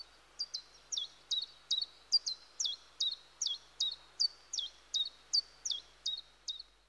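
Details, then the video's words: Common chiffchaff in the woods singing a long, regular series of some seventeen high, clipped notes. Each note falls in pitch, and they repeat at about two to three per second with a quiet hiss underneath. "Charming Chiffchaff(Phylloscopus Collybita)Melodies"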